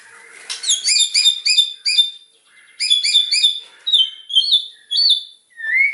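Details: A loud white-rumped shama repeats crisp, high, ringing double notes in quick series, pauses, then adds clear slurred whistles and a final rising note.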